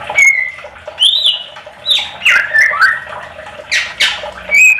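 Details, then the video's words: Greater green leafbird song used as a lure to make other leafbirds answer: a lively run of loud, sharp whistles, slurred chirps and harsh squawky notes, delivered in quick bursts about once a second. "Pancingan cucak ijo agar ikut nyaut bunyi gacor"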